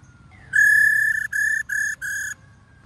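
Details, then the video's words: Loud ro call from a female White-cheeked laughingthrush, used to provoke male song: a long, even, nasal note with strong overtones, then three short repeats of the same pitch. "KHƯỚU MÁI RO QUÁ ĐỈNH Kích Trống Hót Căng Hót Hay"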